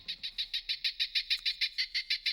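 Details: Pigeon alarm call played back from a pigeon-repelling sound device in Japan, a sound meant to warn companions of danger and keep them away; a fast, high, buzzy series of about fifteen evenly spaced pulses.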